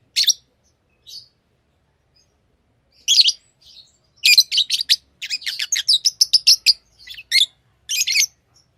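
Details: Tame lovebirds starting with sparse sharp chirps, then breaking into a fast, rattling series of high, scratchy chirps and twitters.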